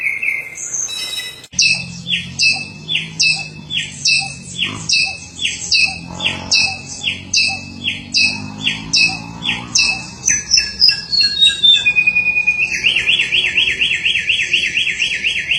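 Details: Samyong, lively and in full voice, kept for tutoring other songbirds: a long series of paired high chirps repeated about every half second, then a sliding whistle and a fast buzzy trill to finish.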